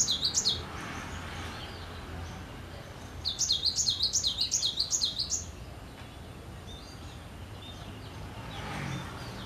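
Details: Cinereous tit in full voice: a short high phrase, a gap, then a clear run of about ten quick, sharply rising and dropping notes, followed by faint chirps in the background.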